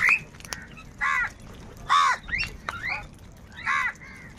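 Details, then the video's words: Crows squabbling over food give spaced, hoarse caws roughly every second, with brief higher calls from another bird between them. "Crow bird Fight for Food | কাকের ডাক Crow Sound Loudly"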